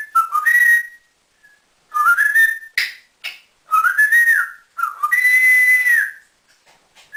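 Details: Captive male African grey parrot, kept indoors as a pet and taught by its owner to whistle like a builder; several loud, clear whistled phrases that slide up and down, with short pauses between bursts.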